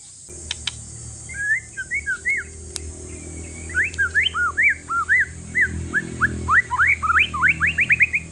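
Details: One-year-old male white-rumped shama from Aceh forest stock, caged and used to prompt other shamas: scattered soft twittering, then clearer looping whistled notes building to a quick rising run, over low background hum and a few clicks.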